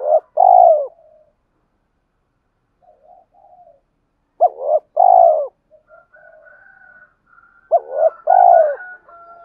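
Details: Male spotted dove calling to provoke a fight and attract a mate, repeating its low coo phrase three times about every four seconds, each a bouncing double note then a long hoot, with soft murmuring notes between phrases.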